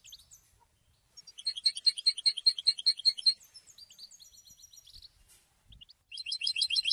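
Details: Goldfinch song. Scattered high notes give way to a loud, rhythmic burst of repeated bright chirps, then softer twittering and a pause before another vigorous, jingling phrase starts.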